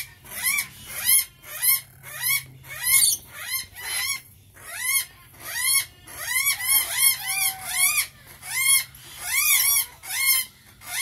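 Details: Repeated squealing bursts from a rainbow lorikeet, stacked harsh arched notes pulsing roughly once a second over a steady low hum.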